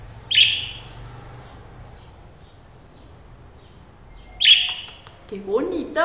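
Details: Lovebirds calling: two sharp, high, shrill chirps about four seconds apart, then a few softer, lower squeaky notes near the end, over a quiet room background.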